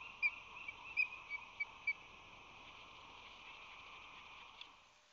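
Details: Nesting ospreys on San Francisco Bay in March 2020, the male flying in with fish: a short series of six thin, high piping notes spaced about a third of a second apart, then quiet hum.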